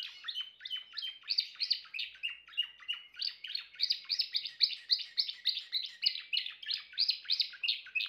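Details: Sustained Timbrado canary song of quick repeated chirp notes grouped into pulsing trills, about three to four bursts per second, loud and even throughout.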